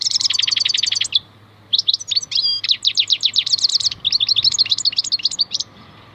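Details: Wild European goldfinch (maknine khalwi) in full, continuous song: loud rapid trills, buzzy slurs and jangling twitters almost without break, over a low background hum.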